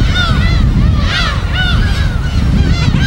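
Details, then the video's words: Gulls on an uninhabited West Sea island, recorded on site: a few arched mewing cries over strong low rumbling wave and wind noise. "파도소리와 갈매기소리"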